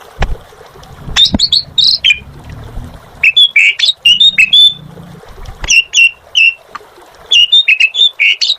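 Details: Asian pied starling singing in bursts of bright whistled and squawky notes, some rising, some falling, separated by short pauses, with occasional clicks and faint low background sounds.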